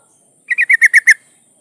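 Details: Breeding female yellow-vented bulbul, known locally as trucuk, calls for a male with a short rapid chatter of six clipped, even notes, all at one pitch, then quiet.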